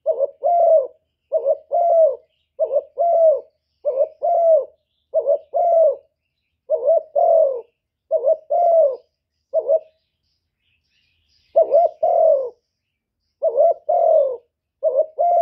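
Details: Spotted dove used as a decoy, delivering a long run of about a dozen paired coos, short upslurred note plus longer soft coo, steady rhythm with one pause midway, nothing else audible.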